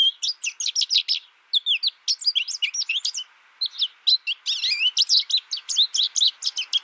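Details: Caged American goldfinch, raised alone through its first year hearing only a tutor recording and never interacting with other birds, sings a rapid, varied twitter of high chirps and slurred notes, broken by a short pause near mid-phrase.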